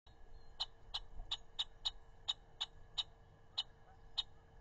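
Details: A red-winged blackbird mobbing, on May 31, 2021, gives about ten sharp, dry chek notes, quick at first then spaced out, over a steady low mechanical hum.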